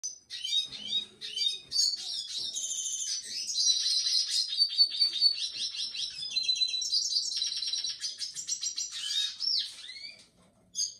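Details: Red siskin singing a long, continuous song of rapid twittering, buzzy trills and high chirps, with rattling passages and sweeping notes packed closely together throughout, no other sounds clear.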